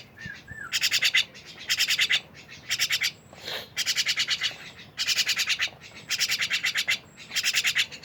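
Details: Myna delivering spaced bursts of dry, buzzing rattles, roughly one burst every second, with a brief whistled note near the start.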